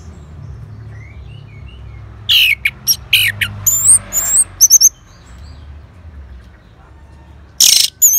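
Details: Orange-headed thrush answering a lure sound in Singaraja, North Bali: loud bursts of high, buzzy and whistled notes mixed with short chirps, a busy phrase over two seconds, then a final burst after a quiet gap.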